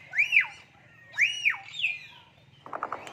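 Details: Common hill myna speaking human words: two loud arched whistles rising then falling, a softer third phrase, then a short burst of clipped, voice-like notes.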